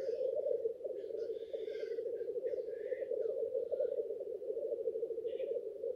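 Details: Male black grouse at a lek giving a steady low bubbling rookoo during courtship display, with intermittent hissing, sneezing notes breaking in above.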